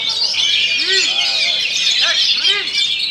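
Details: Kacer, or Oriental magpie-robin, singing a rolling 'ngerol' song: continuous shrill chattering and whistles packed together, plus repeated lower arched notes near the middle and end.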